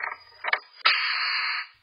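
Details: Black-capped chickadee (Poecile atricapillus) hiss, given inside the nest cavity by a startled incubating female at an intruder: two breathy puffs, then a harsh, snake-like hiss of nearly a second, often with wing-slaps on cavity walls; faint low hum.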